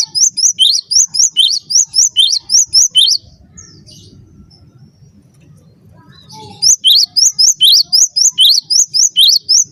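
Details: Cinereous tit song used to train birds: a long, fast series of piercing two-part whistles, then a pause of about three seconds with only low murmur, then another extended run of the same bright repeated notes.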